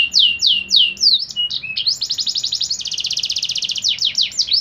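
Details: Canary tutor song with luxurious 'lagu mewah' phrasing, meant to be played daily so caged birds sing: bright downward-sliding whistles, then a fast, even, buzzy trill of high notes, ending with more falling slurs.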